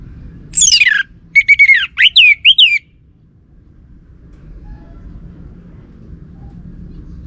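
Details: Orange-headed thrush lure song for drawing out a male: a steeply falling whistle followed by a quick string of short slurred whistled notes, lasting about two seconds, then only low background noise.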